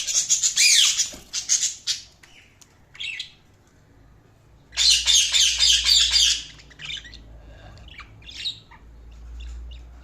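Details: Loud bursts of raspy budgie chatter, a long noisy squawking phrase near the middle, then scattered sharp chirps and a low hum underneath.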